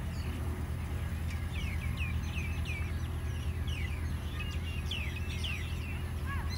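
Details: Several birds chirp in Phnom Penh, Cambodia. Quick, high, curved chirps tumble out in busy bursts, thickest in the middle and near the end, over a heavy, steady background rumble of traffic.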